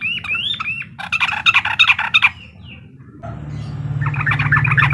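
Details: Sooty-headed bulbul giving uklik-style song to agitate a rival: opening with looping whistled phrases, then rapid dense chatter, a pause, and more chattering over a steady low hum.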